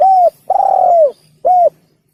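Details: Part of a spotted dove phrase used as a hunting lure: a short coo, a long smooth coo that drops at its end, and a final brief coo, clear and close.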